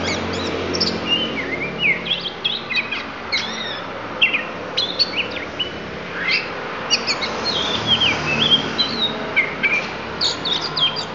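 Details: Lampung-type oriental magpie-robin delivering isian fill-in phrases: a dense, varied run of high whistles, sharp upslurs, buzzy notes and quick chirps tumbling without pause over steady low hum.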